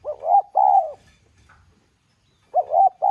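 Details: Spotted dove in 'giọng son' voice calling to urge other doves to coo: a short rising note leading into two long, smooth coos, then the same phrase starting again after a brief gap.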